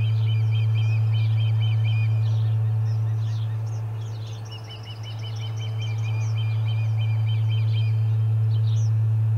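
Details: Excited whistled chirping from Ospreys at the Charlo nest, 30 July 2020, as a fish is brought in: two long rapid runs of repeated chirps separated by a brief lull, with busy high twitters and a low hum.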